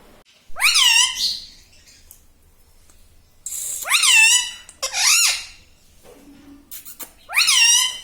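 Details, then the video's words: Pet talking parrot indoors, chattering in human-like words such as "Mummy" and "Papa"; three loud, rich, nasal syllables with rising-then-falling pitch, separated by quiet gaps, plus a faint low hum in a small room. "Talking Parrot"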